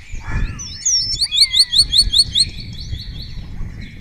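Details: Spotless starling singing before a webcam in Cabañeros National Park, Spain, replied to by other starlings, its song including imitations of orioles, kites and other birds. A rapid series of about ten high, sharp repeated notes over a sustained whistle, plus a rising slur.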